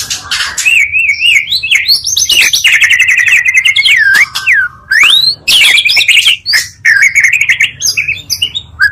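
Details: Magpie-robin lure song, two songs combined to quickly rouse other magpie-robins: loud, varied whistled phrases with rising and falling slurs, rapid trills and sharp notes in fast succession, with no other sounds.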